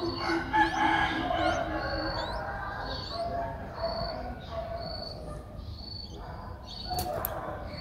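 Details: Streak-eared Bulbul nestling aged six days in Ubon Ratchathani, Thailand, recorded 8 April 2023, giving a rapid series of high thin piping notes. Scattered softer chirps from other birds are mixed in, and there is a brief click near the end.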